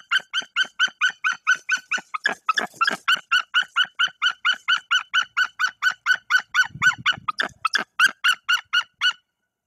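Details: A long, steady run of loud barking yelps comes from a female white-tailed eagle sitting on eggs in Bory Tucholskie. She is chasing away an intruder from the nest tree, with a brief rougher burst midway.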